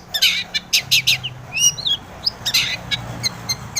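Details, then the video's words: A long-tailed shrike's lure song for drawing replies from other shrikes: scratchy chatter bursts, a few whistled slurs and sharp ticks, irregular and rapid. "KICAU SUARA cendet gacor RAJA PIKAT ini RAJANYA BIKIN NYAUT pentet lain"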